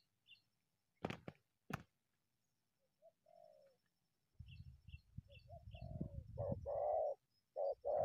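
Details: Wild spotted dove coming out of bushes toward a decoy; sharp clicks and rustling handling noise first, then soft coos building into loud, husky two-part coos near the end.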